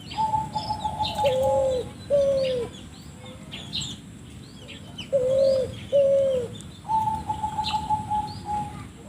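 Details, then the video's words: Spotted dove with an unusual call, recorded for luring: long, level, trilled notes alternating with pairs of short, falling coos, separated by pauses, with faint bird chirps around. "burung balam suara aneh"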